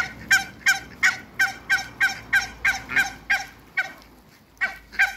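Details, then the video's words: Two pairs of African geese meet Muscovy ducks. Brassy, nasal honks come in a quick train of roughly three a second, with a short pause near the end before two more honks. "MEETING TWO COUPLES AFRICAN GEESE & MUSCOVY DUCKS"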